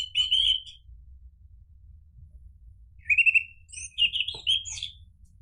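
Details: Orange-headed thrush (anis merah) delivering three separate bursts of song, rich whistled slurs and quick chattering twists, with a short click heard between the later phrases over low background hum.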